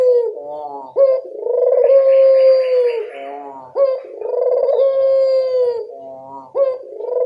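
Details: Lure coo of a local barbary dove, used so wild doves reply: deep rolling coos, each opening with an abrupt upward whoop and stretching into a long steady tone, roughly every three seconds.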